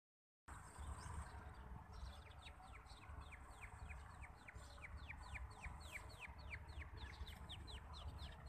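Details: Partridge chicks calling: a quick series of thin high whistled peeps, each sliding downward, repeated several times a second over a steady low hum and background noise.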